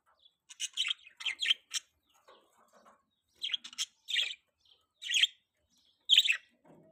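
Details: Baby budgerigar kept as a pet, giving clusters of quick, scratchy high chirps in short groups of two or three, separated by brief pauses, with faint softer murmurs between.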